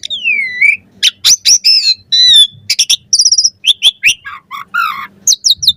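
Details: Varied song of an Asian pied starling for tutoring other birds: a slurred descending whistle, loud harsh chatters, a quick high trill and squeaky downslurred notes in rapid succession.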